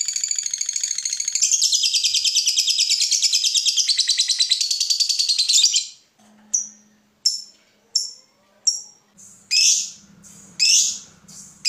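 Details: Lovebird in 'ngekek' style, a fighter-type singer used to stir other lovebirds to sing: a long, shrill, rapid chattering trill lasting about six seconds, followed by separate short, piercing high chirps roughly every second, with a soft low hum beneath.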